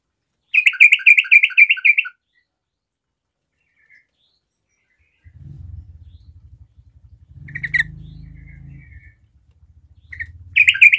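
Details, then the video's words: Yellow-vented bulbul of the garuda type in lively gacor singing form: a fast burst of bright, bubbly chattering notes repeated rapidly, then a pause with low rumbling noise, and the chattering starts again at the end. "SEMUA TRUCUKAN PASTI IKUT BUNYI DENGAR SUARA TRUCUKAN GARUDA GACOR INI"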